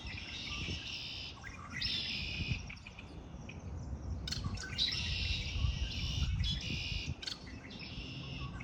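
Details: Birds singing in spring, with fast, irregular high chirps and tweets in repeated phrases, roughly three per second, while a low environmental hum runs underneath.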